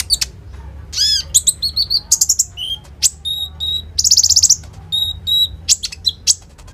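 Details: Common iora in lively 'roll tembak' song, serving as a lure for kolibri ninja, phone-recorded: varied high whistles, looping slurred notes, short buzzy trills and sharp chips delivered in quick succession against low background hum.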